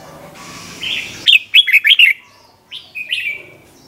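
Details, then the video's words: Red-whiskered bulbul 'double' song, recorded for teaching young birds: a steady hiss, then a clear run of five quick, wavering notes, followed by a few softer slurred whistles. "เสียงนกกรงหัวจุกเบิ้ล เพลง100อาชีพ"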